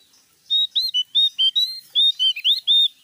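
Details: A Javan grey-throated white-eye sings loudly in a rapid string of around eleven clear, high chirping notes, some flat and some swooping upward, forming a bright continuous phrase of about two and a half seconds.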